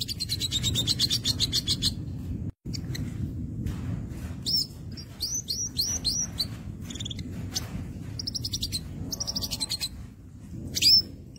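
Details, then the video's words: Crimson sunbird singing in energetic, full-voiced form: very high, thin rapid trills and sharp, clipped chirps in quick bursts, some buzzy, with short pauses between phrases over a steady low rumble of background noise. "sogok ontong gacor | sogon"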